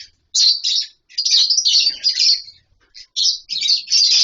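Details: Many lovebirds in a captive colony setup chatter loudly: rapid, high-pitched squeaky chirps run together in dense overlapping bursts with only brief pauses.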